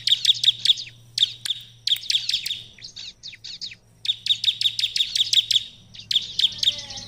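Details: Bar-winged prinia in Indonesia, singing to draw an answer from rivals: bursts of quick, piercing high chirps broken by short pauses, with softer scratchy notes in between and a low hum beneath.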